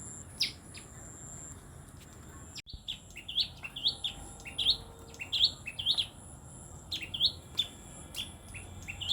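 A tailorbird repeats sharp, rising chirps about twice a second, high and insistent, over a faint steady insect whine.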